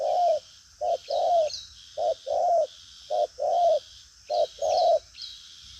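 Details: Spotted dove, 'đồng pha chân cua' kind, cooing strongly with trailing flourish. Four regular short-long coo pairs, each long note slightly falling, with scattered thin high chirps from another bird and a faint continuous hiss.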